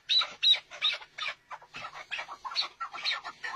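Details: Chukar partridge calling in a quick run of harsh, broadband chuck notes, roughly three per second, irregularly spaced and fading slightly toward the end.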